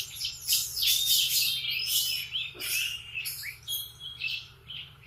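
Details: Morning canary song: dense high twittering and quick rising and falling chirps, continuous with brief dips, over a low steady background hum.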